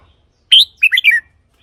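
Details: Caged red-whiskered bulbul, sound meant for decoy use or to excite other birds: one sharp whistled note followed by a fast rolling three-part warble, bright and clear against a quiet background.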